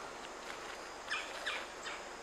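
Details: Red-bellied Woodpecker heard on an October 18 guided woodland walk, giving three short, harsh, raspy notes about half a second apart, fairly faint against a steady outdoor hiss.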